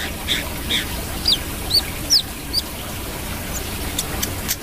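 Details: Brown-throated sunbird giving a string of sharp, high chirps, some sliding downward, about two per second, followed by quieter ticks and steady background hiss.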